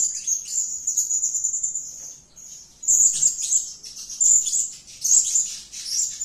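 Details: Blue-crowned hanging parrot (Loriculus galgulus) giving very high, thin, shrill calls: a sustained sizzling trill at first, then sharp squeaky notes about once a second.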